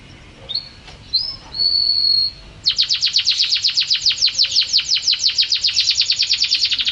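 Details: Canary master song for caged birds: two short whistled notes and one sustained whistle, then a sudden loud, rapid series of sharp descending chips forming a long trill.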